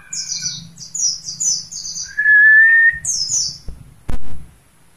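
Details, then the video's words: Kept mountain white-eye, linked to Mount Slamet, giving rapid bursts of high, thin, descending chirps, with a steady mid-pitched whistled tone in the middle, a low hum beneath and a sharp click near the end. "Simed pleci gunung slamet"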